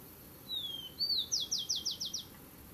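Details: Single song from a rufous-collared sparrow guarding its territory: downward-gliding whistled note, a rising slur, then six rapid descending trill notes, high and bright.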